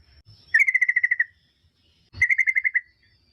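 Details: Yellow-vented bulbul song played as a lure so other bulbuls respond: two rapid bursts of eight or nine ringing, clipped notes, each lasting under a second, separated by a short pause, with a soft low background thump.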